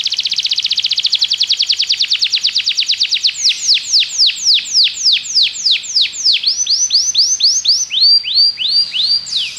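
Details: Belgian canary used in training to prompt other canaries to sing, giving a fast buzzy trill, then a run of bright descending whistled notes about three a second, shifting into new rolling phrases.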